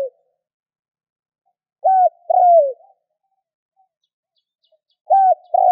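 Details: Spotted dove calling to get other doves calling: one two-part coo, short and level then long and sinking in pitch, followed by silence. A new phrase begins near the end. Nothing else audible.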